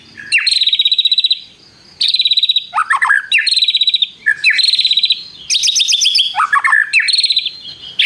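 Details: White-rumped shama pouring out mimicked prinia phrases and long trills: bursts of dense high rattling trills alternate with lower, scratchy tumbling notes, separated by brief pauses.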